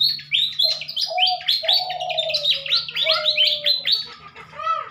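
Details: Pied fantails being paired for breeding and release, singing in the morning near a village where the species had vanished from the wild by 2023: dense squeaky, high chirps in rapid overlapping runs, with lower drawn-out whistles and a steady low hum.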